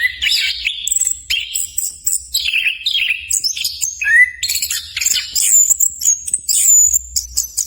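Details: Orange-headed thrush (anis kembang) song used as a lure to get birds singing. Loud, varied phrases of warbling, slurred notes and quick trills follow one another, shifting between middle and very high pitches.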